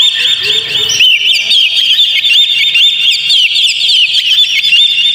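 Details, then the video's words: Oriental magpie-robin lure song for caged birds: a faint low opening gives way to a loud, continuous run of quick slurred chirps and trills. "PANCING KACER PLAY ON"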